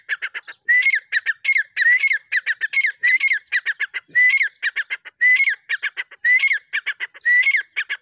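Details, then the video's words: Grey francolin calling loudly in a steady series: each phrase opens with a rising whistled note, then a quick burst of sharp, harsh clicking syllables, repeating about once a second over eight seconds. "dakhniteetar ki awaz"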